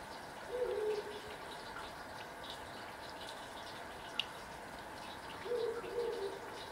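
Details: Ural owl heard from the forest in front of a house on 20 March 2021, its first calls of the year: two low, mellow hooting phrases about five seconds apart, each a short run of deep notes, over soft hiss with a click.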